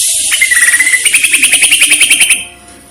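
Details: Greater green leafbird training recording in the style mimicking a woodpecker versus cililin, with pauses: a fast run of sharp repeated notes, about eight per second, with a high thin ringing overtone, stopping abruptly after two seconds.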